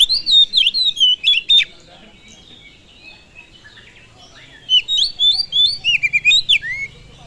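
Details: Oriental magpie-robin lure song meant to excite other birds: rapid, varied warbled whistles in two bursts about three seconds apart, with softer twittering audible faintly in between.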